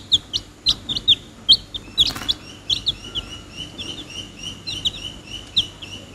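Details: Chicks of domestic chicken peeping: a steady stream of high, downward-sliding cheeps from several birds, overlapping, about two or three a second, with soft background rustling.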